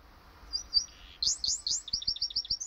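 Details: Hybrid of canary and goldfinch practising song: a few thin high notes lead into a lively sequence of clear, rapidly repeated twittering chirps, bright and evenly spaced.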